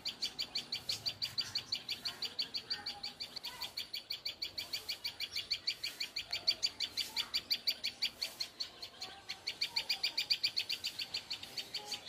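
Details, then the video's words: A tailorbird gives loud, high, sharp notes in a rapid, unbroken series, about three a second, with only faint background noise. "tailor bird sound"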